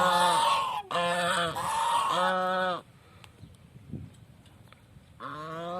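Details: A village swan honks loudly several times in a row with rich nasal tones, goes quiet amid faint background noise, then honks again.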